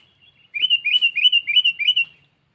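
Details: Sooty-headed bulbul calling a rival, used as a lure sound: a quick run of five bubbly, chattering notes, each dipping then rising, packed into about one and a half seconds against a quiet background.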